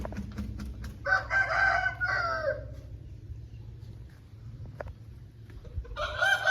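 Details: Pure Lasani Aseel rooster crowing twice: a harsh, drawn-out crow with a bright middle band, then a second crow starting at the end, over a low steady background hum.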